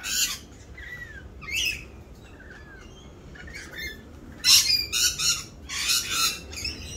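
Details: Rainbow lorikeets in mating season, louder than usual while dancing to court; scattered screeches and downslurred chirps, then a dense run of harsh repeated shrieks toward the end.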